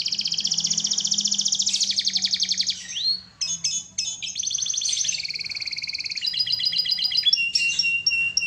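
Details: Canary pouring out long buzzy trills and rolling rattles, changing pitch every second or two, with brief sharp chirps between phrases and a steady, rapid pulse throughout.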